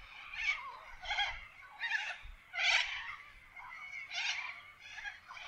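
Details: Little corellas calling in forest in Australia: a series of harsh, screechy squawks about every 0.7 seconds, rough and broad-toned, with faint low rumble beneath.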